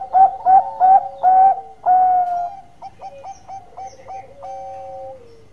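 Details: Zebra dove, described as an actively singing bird, for luring: four loud, rounded coos in quick succession, a longer drawn coo, then a soft series of short clipped notes ending in a gently falling whistle.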